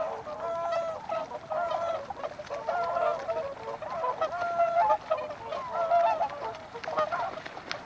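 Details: Whooper swans giving loud, nasal, bugling honks that overlap and repeat irregularly, several birds calling together, with no other clear sounds.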